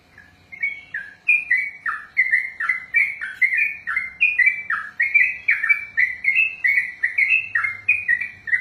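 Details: Sooty-headed bulbul delivering a long unbroken ropel song: a continuous chain of bright chirped notes, each phrase sliding down then up, repeated about twice a second without pause.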